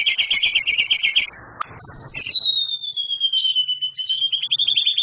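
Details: Champion White-rumped shama in full song, mimicry of canary, cililin and lovebird: a fast buzzy double-banded trill, then a long clear whistle sliding slowly downward, ending in a quick chattering flourish.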